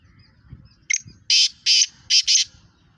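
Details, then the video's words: A black francolin (Kala Teetar) from Pakistan, called a speeder for its fast calling. It gives a brief sharp note, then four harsh buzzy bursts, the last two close together, with low rustling behind. "Speeder kala Teetar One Minute Eleven Voices Pakistani Fastest Kala Teetar Chakri Wala Teetar"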